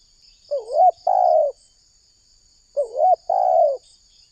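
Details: Lure call of a spotted dove used for trapping wild doves: two low cooing phrases, each a brief bending note then a longer sustained coo, with a quiet pause between and a steady high insect hum behind.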